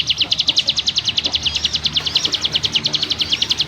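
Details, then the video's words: Ciblek gunung in the rapid, dense 'ngebrem nembak rapat' song style, described as firm-voiced: a fast run of sharp, high chipping notes, about two or three per second-fraction, pulsing evenly throughout with faint low background noise. "Burung CIGUN ngebrem nembak rapat - ciblek gunung master suara TEGAS"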